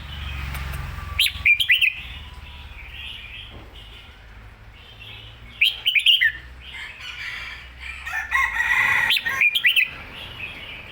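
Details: Red-whiskered bulbul singing with excitement: short runs of bright rising whistles separated by pauses, closing with a longer warbled phrase, over a low background rumble.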